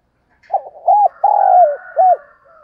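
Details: Spotted dove calling to lure and excite other doves: a short stuttering start, then loud low hooting coos, one drawn out and falling, followed by a final arched note over a faint steady tone.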